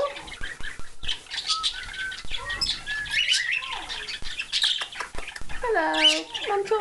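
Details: A pair of hand-reared pet cockatiels, desperate to be let out for playtime, give harsh squawks and bright chirps, then a loud stacked screech near the end, with wing-flapping, rustling and clicks mixed in.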